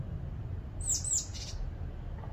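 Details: Great tit calling while hunting insects to feed its young and seeking its fledglings: a brief, very high, thin call of two quick notes over a steady low rumble.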